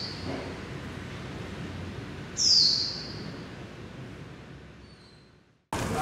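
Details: Japanese white-eye confined in a building at Taipei Artist Village, Taiwan: one thin, high, falling whistle midway, with faint hiss around it, then a brief silence and an abrupt louder burst of noise at the end.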